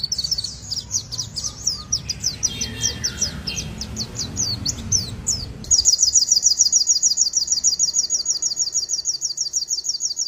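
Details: Young white-rumped shama in full sogon-filled song: varied high slurred notes over a rumbling background, switching to a fast, even high trill that continues to the end.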